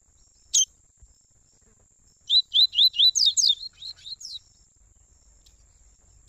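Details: Tui tui style warm-up song of Double-collared seedeaters, a father and son: an isolated sharp chirp, then a quick burst of about ten high, clear, slurred whistled notes over two seconds, and a final chirp, over a thin steady whine.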